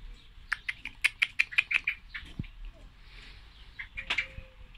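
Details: Female common blackbird uttering a fast string of sharp tick-like calls, then a quieter stretch with a soft thump and a few more scattered clicks toward the end.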